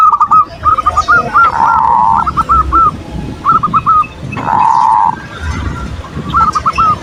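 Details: Perkutut, or zebra dove, in manggung song meant to bait an opponent's emotion and arouse lust: quick runs of clipped, arched coos grouped in threes and fours, alternating with two sustained rolling phrases, over low background rumble.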